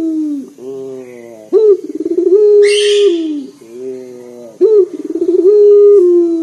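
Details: Local collared dove with a loud, booming voice, kept as a lure to set other birds singing: deep rolling coos that open with a stutter, then swell into a long steady note, with softer murmured phrases between, about every three seconds.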